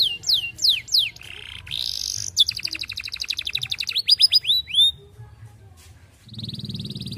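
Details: Canary courting a female, used to lure other canaries into long rolling song: falling whistled sweeps, a held high tone, a fast buzzy trill, more curving whistles, then quieter notes with a low hum.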